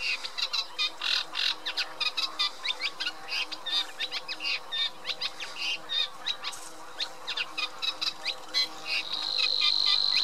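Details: Eurasian reed warbler song over about ten seconds: rapid, jerky chattering phrases of scratchy and clicking notes, ending with a thin sustained high whine entering beneath the chatter.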